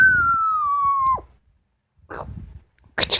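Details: Pet female Amazon parrot whistling a steady falling tone for about a second that ends in an abrupt downward drop. Brief scratchy calls follow, with low room noise beneath.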